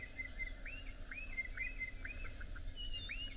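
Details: A Bokmakierie at sunrise on 18 April 2024 near Gowrie Dam, Djuma Private Game Reserve, South Africa, under some cloud, calls hidden in a bush, giving clear, ringing whistled notes arching up then down about twice per second over a low rumble.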